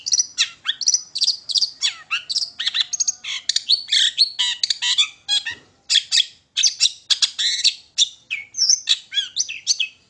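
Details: Long-tailed shrike singing energetically, used as a lure to trigger song in other shrikes: dense, nonstop chatter of squeaky, scratchy and slurred high notes in quick succession.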